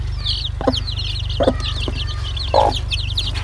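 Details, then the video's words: Domestic chicks call in a continuous stream of high, sliding peeps. Three brief, low, clucking bursts interrupt them, over a constant low electrical hum. "PINTINHO PIANDO, Som de Pintinho, SOM DE GALINHA"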